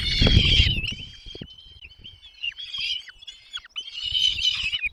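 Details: Feeding time at a nest, parents bringing food to the chicks: a loud rough burst with a thump opens, then a run of thin whistled and buzzing notes, louder again at the end.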